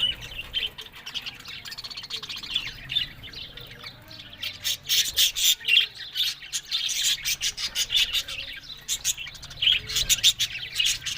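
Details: Happy talking budgerigars keep up dense, scratchy squawks and chirps, irregular and rapid, about two per second, with no quiet gaps.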